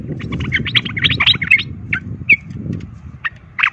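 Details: Rapid fighting song of a sooty-headed bulbul, meant to provoke other bulbuls into combat: a burst of crowded, chirpy notes, then scattered single whistled notes, with steady low rumble behind.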